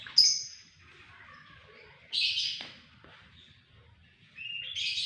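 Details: White-rumped shama singing a loud, persistent, sharp song: a piercing high whistle, then buzzy rich bursts and a rising whistled phrase, with quiet pauses between.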